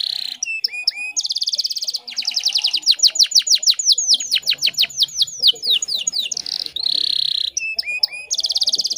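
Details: Breeding female canary luring a male. Varied song of buzzy rolls, chattering trills and long cascades of quick down-slurred whistles, returning to metallic rolls and rapid rattles.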